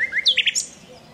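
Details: A common nightingale sings in alluvial forest near the Danube river, Dunajské Luhy, Slovakia: a brief phrase of two low whistles, then a quick run of higher chirps ending on a thin, very high note, all within a second.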